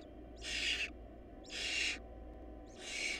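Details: Barn owl nest during a food shortage: three drawn-out, noisy hissing screeches, each near half a second long and spaced about a second apart, over low steady hum.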